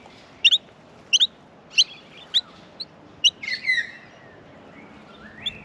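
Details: Australian miner nestlings being fed give a few sharp high chirps, then a longer, lower, drawn-out descending call breaks in before the clip fades to quieter notes.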